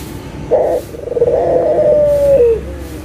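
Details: Local puter dove, used as a lure to get silent doves calling again: a short throaty note, then one long rolling coo that slides down at its end, over a faint low hum.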